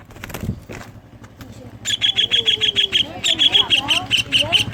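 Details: Lure recording of a greater green leafbird whose song carries kingfisher-like fill-in phrases, played to get other leafbirds singing: quiet clicks, then a fast series of rasping repeated notes with faint twittering underneath.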